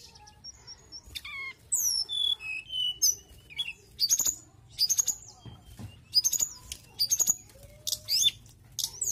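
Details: Mountain tailorbird singing constantly: a lively run of very high thin whistles, downslurred notes and quick chirp bursts, delivered in short phrases about every half second with little background noise.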